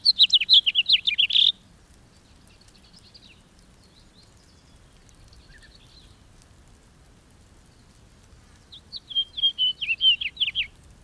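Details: Two bursts of house finch song separated by a long pause, each a fast, rich warble of chirping notes, with faint distant bird notes in between.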